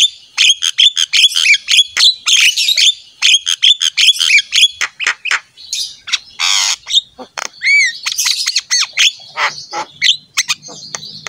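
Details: Lively black-winged myna song played to train other mynas: repeated bursts of harsh chattering squawks in quick rhythmic phrases, followed by looser rasping notes and a few clear descending whistles.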